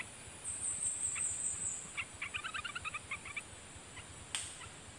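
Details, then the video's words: Wild streak-eared bulbul used as a decoy call, giving a quick burst of short, sharp chirpy notes in a tight cluster with a few scattered notes after, over a steady high hiss and faint background rumble. "เสียงต่อนกกรงตาแดงEp.4/1(นกปรอดสีไพล)นกป่าจอมลีลา!! มีแก้มือSuara merbah belukar"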